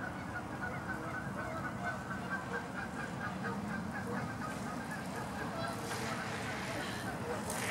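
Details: A flock of Canada geese in Los Gatos, California, USA, recorded 16 March 2019, gives rapid, repeated nasal honks in a steady rhythm, backed by low rumble and a rush of noise near the end.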